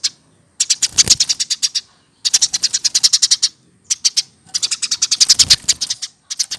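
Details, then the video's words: Eurasian tree sparrow reared by hand from a nestling, now past one year, kept caged, singing long fast series of sharp high chirps in several runs broken by short silences. "Dari lolohan!!Umur 1 th keatas burung gereja baru bisa seperti ini"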